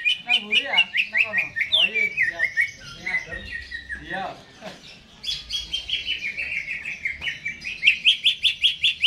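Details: Caged greater green leafbird singing busily before being hung up in its cage: a long, varied stream of bright chattering and warbled phrases, fast repeated trills and sweeping notes, with a brief quieter pause midway before rapid high notes resume.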